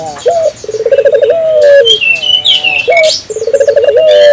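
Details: African collared dove calling vigorously, used to stimulate local doves to call: a short high note, then a rapid rolling trill and a long, slightly falling coo, given twice, with small birds chirping high in the background.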